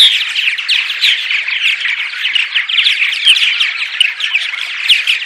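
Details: Purple martin morning vocalizations played to attract martins to a birdhouse: a dense, continuous chorus of overlapping gurgling, chirping and creaky warbles from many birds, steady throughout.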